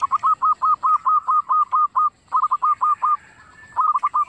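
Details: Local zebra dove singing, used as a lure to prompt other doves to sing: rapid series of short hooked cooing notes, about four per second, in two bursts separated by a brief pause, then a third phrase starting.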